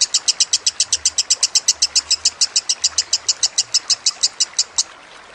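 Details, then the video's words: Kusumo lovebird chattering over flowing water, meant as a training recording: an even series of piercing high notes at roughly five per second that stops shortly before the end, leaving only water. "Masteran Lovebird Kusumo + Gemercik Air"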